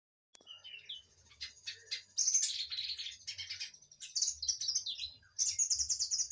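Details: Kinoi singing actively, a bright, high chirpy song of quick twittering notes and short trills, delivered in bursts with brief pauses, plus low thumping sounds underneath.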